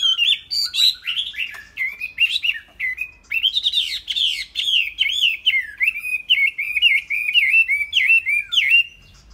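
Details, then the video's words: Caged Chinese hwamei singing a loud, continuous run of rich whistled phrases, sliding up and down and repeated in quick succession with brief pauses, clear and close with no other sounds. "Chim Họa Mi"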